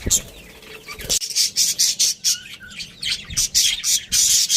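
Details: Budgies from a breeding pair give loud, harsh, high chirps in rhythmic bursts roughly every half second, with faint warbled notes between them.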